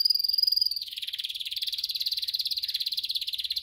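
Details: Canary song meant to teach canaries to sing: a steady clear whistle gives way to a fast, rattling, evenly pulsed trill held to the end.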